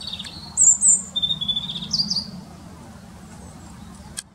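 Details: European robin singing from one tree in a local park, staying put for almost five minutes; a clear burst of high sweet whistles and quick twittering notes, then a pause, with faint low background hum.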